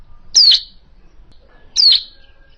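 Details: Hill prinia call meant as a trapping lure: two clear, high, downslurred notes ending buzzy, about a second and a half apart, with quiet between them.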